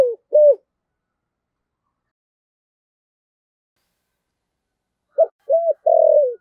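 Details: Spotted dove decoy calling in the 'thổ sấm' voice style: a short low coo pair at the start, then a long silence, then a three-part coo ending on a longer drawn-out note.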